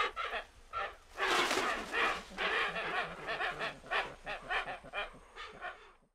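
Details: Hoatzins at Thaimaçu Lodge, Brazil, give hoarse, wheezy, hissing croaks in a quick ragged series, about two per second, with several birds seeming to call over one another.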